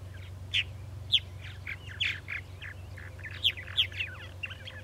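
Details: Purple martins at a nesting colony chatter together in overlapping gurgling, liquid chirps and rough croaks from several birds at once, over a low steady hum.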